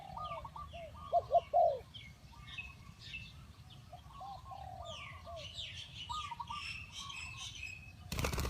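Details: Spotted dove decoy for trapping gives a short burst of loud, low coos near the start, then softer distant cooing under scattered high chirps and twitters of other birds; a brief noisy rustle ends it.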